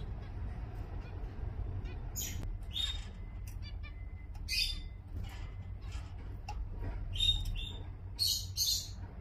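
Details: Zebra finches recorded in Singapore in November 2024: repeated nasal, buzzy beeps and toy-trumpet honks in clusters, some rapid ticking notes between, against a low continuous hum.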